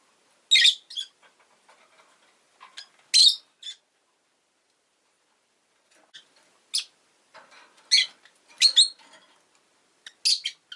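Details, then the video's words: Captive rosy-faced lovebird uttering harsh, high, buzzy chirps in irregular bursts with quieter twittering between them. "Lovebird Chirping Sounds"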